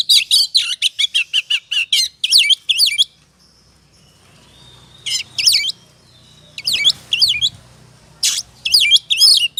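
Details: Oriental magpie-robin ngobra song used to provoke other birds: a fast train of sharp chirps for about three seconds, a long quiet stretch, then three separate loud bursts of twisting whistles.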